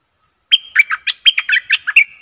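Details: Single bulbul phrase recorded to lure wild birds: a rapid string of about ten liquid, chirping notes that rise and fall, ending in a thin held tone.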